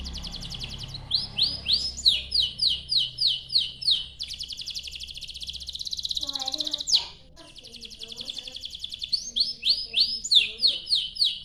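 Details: Canary song used as a lure to get other canaries singing: rapid rolling trills and repeated upward-swept whistled syllables, high and bright, cycling through several phrase types with brief pauses.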